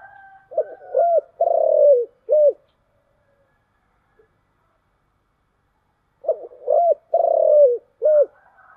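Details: Spotted dove cooing in the 'giọng thổ chiêu gù' luring style, with two identical phrases about four seconds apart. Each phrase has short soft coos, a drawn-out vibrating coo and a short closing note, low and mellow.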